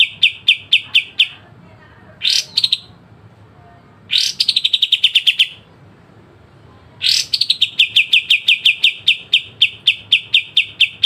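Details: Kapas tembak with sharp besetan, a clean pied triller training recording: three phrases, each begun by a harsh rising burst and carried on by rapid runs of repeated bright notes, with short silent gaps between.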